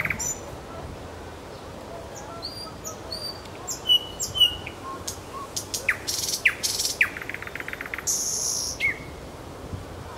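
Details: Song of a nightingale in Kuzminsky forest park: high whistled notes, then loud, rapid series of sharp repeated clicks and a buzzy burst, clear above quiet background hiss.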